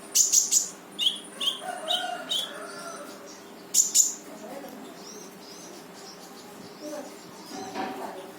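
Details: Brown-throated sunbird in lively full-burst "tembakan" song, used to get silent birds singing: very high, sharp, piercing chirps fired in quick triplets and short runs early on, then a pause before sparser, softer notes.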